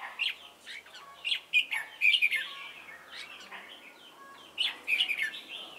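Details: Red-whiskered bulbul used as a decoy for trapping at Chùa Hương, recorded 28 November 2017: loud, bright warbled phrases in rapid bursts, with quieter chirps from other birds between the phrases.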